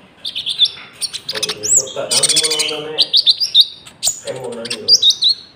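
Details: Common iora (konin) song with cricket-like filling, used to lure and train birds; quick rhythmic high chirps and looping whistles, a loud buzzy burst in the middle, with a lower warbling voice underneath.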